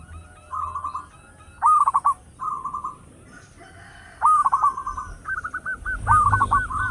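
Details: Loud local zebra dove used to lure other birds: soft rolling coos alternate with louder hooked notes in short bursts, ending in a quick series of rising-falling phrases.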